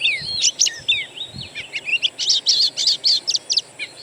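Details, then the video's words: Oriental magpie-robin song recorded from wild birds and used as a lure to prompt a caged bird to sing: rapid high whistled and chattering phrases, sweeping notes, then dense repeated bright notes, over a low rumble. "PANCINGAN KACER; masteran burung alam sangatlah ampuh"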